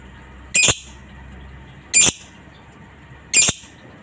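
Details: Lovebird in a master recording of ngetik and ngekek calls used to train other lovebirds: three loud, shrill squawks spaced about one and a half seconds apart, nothing else audible.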